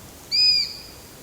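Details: A single high, thin whistle from a Eurasian sparrowhawk, lasting about a third of a second, level in pitch and fading at the end, against quiet background hiss.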